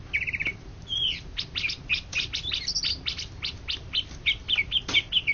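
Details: Greater green leafbird, an Indonesian champion songbird of 2013–2014, gives short bright whistled notes and slurred rising and falling phrases over a dense run of sharp clicking ticks.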